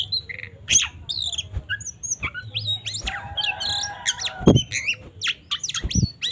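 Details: Fighting song of an Oriental magpie-robin (kacer) meant to stir up other kacer: slurred whistles, a drawn-out buzzy rattle and sharp chirps, punctuated by several thuds, with low hum beneath.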